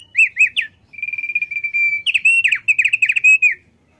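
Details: Thick-billed White-eye male, known for singing often, delivers looping whistles, a rapid even trill, then a lively chattering warble of swooping notes, loud and clear against a quiet background.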